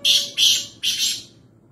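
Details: A wild black francolin near Nawabshah, Pakistan, utters three rough, buzzy notes close together, the third stretched longest, against a quiet background.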